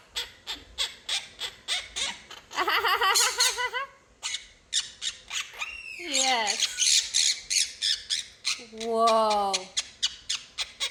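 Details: A pet monk (quaker) parakeet chatters in rapid squawks and harmonic, laugh-like mimicked phrases while its owner coaxes it to laugh and talk.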